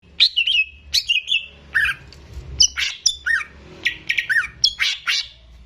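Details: Greater green leafbird (cucak ijo) singing vigorously, a kept bird used as a tutor for young birds: bursts of bright whistled and chirped notes, some slurred and held, tumbling out every half second over a low hum.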